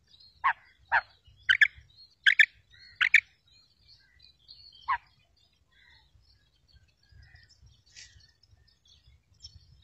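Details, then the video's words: Female quail call for luring quails to traps: a run of five quick, sharp notes, some paired, then a lone note after a pause, followed by quiet with faint distant chirps. "female quail sound effect | new kirk batair bulara ` madi Batair ki kirk"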